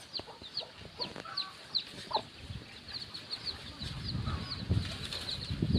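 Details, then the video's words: Free-range chicks forage and feed near the chicken coop with their mother hen before dusk. Rapid, high, descending peeps repeat many times, mixed with a few lower clucking notes and scuffling noise from the ground. "Baby chickens playing making noises while feeding"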